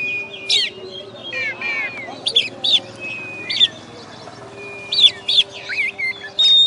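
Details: Champion oriental magpie-robin (kacer) of a songbird contest in West Kalimantan, Indonesia, described as master-tutored, delivers loud curling whistles and sweeping rising-falling phrases separated by brief pauses, over a faint steady tone.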